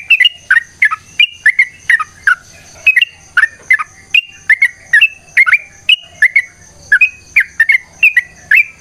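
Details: Sooty-headed bulbul singing in the long, rapid fighting style used as a lure to get other bulbuls singing: short chirpy whistled notes, each bending up then down, about two per second, loud and steady over a faint low hum.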